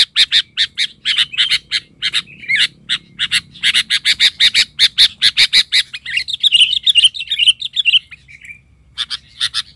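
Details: Agitated Sooty-headed bulbul (kutilang) used as a lure bird, raging at wild birds: a long run of harsh, clipped notes, over two a second, breaks into a rolling, bubbly warble and ends with a few more sharp notes.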